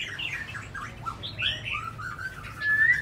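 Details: Soft, varied whistled phrases from a tame caged Chinese hwamei in Hanoi, Vietnam: slurred rising and falling notes, quieter overall, ending on a clear, sustained, brighter whistle over low background hum.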